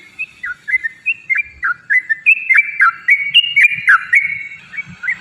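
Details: Yellow-vented bulbul singing constantly, a recording meant to spur other bulbuls into song: a rapid run of short liquid whistled notes dipping and rising, densely repeated with bubbly chatter.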